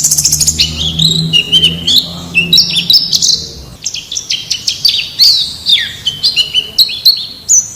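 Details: White-eye from the wild as a tutor for caged birds: a quick run of sharp ticks opens into a tumbling, high, warbling song, with a low steady hum underneath for the first half.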